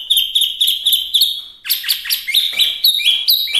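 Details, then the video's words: Chinese hwamei, small form, delivering a rapid series of clear repeated whistles about four per second, then switching to downslurred notes and stepped, rising whistled phrases. "Suara Asli Wambi Mini/Hwamei Gacor"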